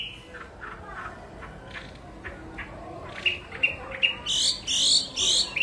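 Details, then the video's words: Chinese hwamei song, starting soft with scattered short whistles over background noise, then turning louder with sharp, high repeated phrases near the end. "tiếng hót hay nhất của chim họa mi"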